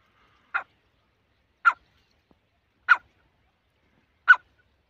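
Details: A francolin, known locally as the Irani or kala teetar, gives four short, harsh single notes about once every second and a bit, mid-pitched and abrupt, against a quiet background.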